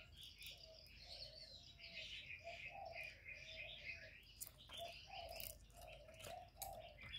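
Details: Spotted dove used as a decoy, cooing against a wild rival: low, mellow coo notes repeated in a steady series about every half second, with many small birds chirping and trilling high above throughout.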